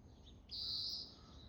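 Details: Oriental greenfinch calling persistently: a single loud, flat, buzzy high note held about half a second, with faint softer notes before it and low background rumble.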